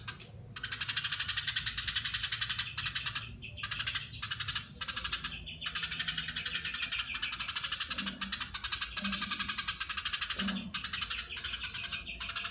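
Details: Eurasian tree sparrow giving long, dense, rapid chatter: fast buzzy chirps packed in bursts lasting several seconds, with brief pauses between runs; faint low hum beneath.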